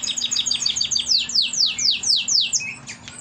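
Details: Caged young canary, bald-headed survivor of a yellow canary brood: rapid high repeated notes, then a string of slower loud downward slurs about four per second, ending in a short fading note.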